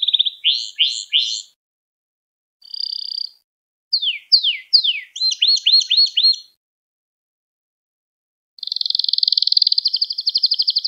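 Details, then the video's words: Singing Gloster canary, used to stir up and train other canaries: quick downward-sweeping whistles in bursts of three to six, a short buzzy phrase, then a long fast even trill after a silent gap. "Gloster Kanarya Sesi Ve Ötüşü | Kanarya Huylandırma | Kanarya Kızıştırma"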